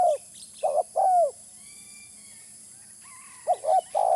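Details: Spotted dove call used as a lure: low, mellow cooing notes, a quick pair followed by a longer drawn-out coo, then a two-second pause and three more coos in a fast run, over a faint steady hum.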